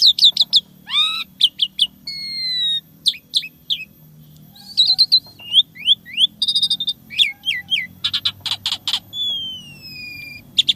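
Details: Kept Asian pied starling delivering a long, busy medley of imitated sounds, mixing steep rising and falling whistles, sustained slurred notes, dense trilled bursts and clipped chirps in quick succession.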